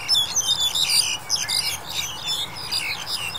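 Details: Black-collared Starling, January 2021, giving a busy tangle of high squeaky notes, clear whistles and rasping chatter with few gaps.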